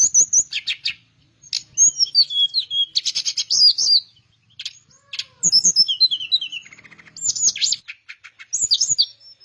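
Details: Malay flycatcher (teledekan melayu) in full, vigorous 'gacor' song: rapid bursts of high, clear whistles, sliding and descending trills and sharp chirps, broken by short pauses, with faint low knocks in the background.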